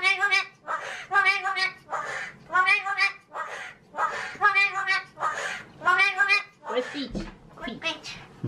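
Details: Talking pet magpie, male, mimicking human speech: rapid series of rough, harmonic word-like syllables, roughly one burst every second or so, ending with a few sharper higher notes.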